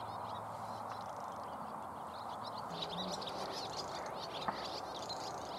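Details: Many common house martins flying above a pond and now and then settling in a tree, giving busy high twittering chirps that thicken in the second half, over constant rushing background noise.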